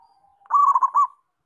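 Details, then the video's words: One song phrase from a local zebra dove: a soft, low lead-in note, then a loud, rapid, bubbling run of four or five rolling coos ending abruptly. "Perkutut Lokal Gacor"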